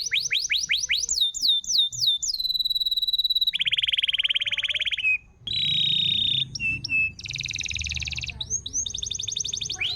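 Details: Canary song for stimulating a canary that no longer sings: quick upswept notes, a held whistle, buzzy rolling trills at several pitches, short chips, and a final rapid series of repeated notes.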